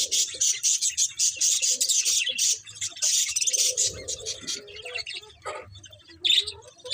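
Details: Budgerigars chirping: dense bursts of high, scratchy warbling chatter in rapid pulses for the first half, then sparser chirps, a soft lower murmur, and a sharp squeak near the end.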